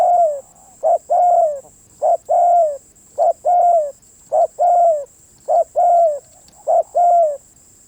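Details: Spotted dove cooing in a fast, regular series of about six phrases, roughly one every 1.2 seconds. Each is a brief note and then a longer hoarse coo that dips at the end. A faint steady high whine is present.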